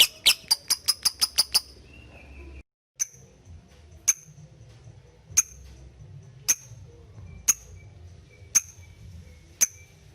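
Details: Lovebird ticking (ngetik) used to call a rival. A quick run of about eight sharp clicks opens, then after a brief pause single ticks sound slowly, about once a second, over a faint low hum.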